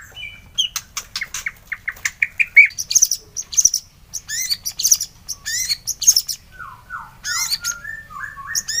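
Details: Morning bait song of a white-rumped shama: rapid varied high notes, quick ticks and buzzy bursts, then lower falling whistled slurs near the end, delivered continuously without long pauses.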